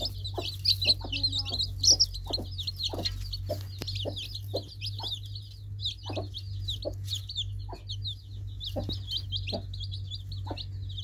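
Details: Baby chicks cheeping in a busy flock: high, rapid peeps overlapping nonstop, with soft low knocks and taps in between and a steady low hum throughout.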